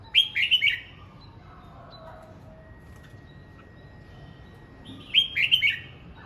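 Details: Red-whiskered bulbul practising its voice: two bursts of quick, bubbling slurred whistles separated by about four seconds of quiet, with faint softer notes and a thin steady tone between.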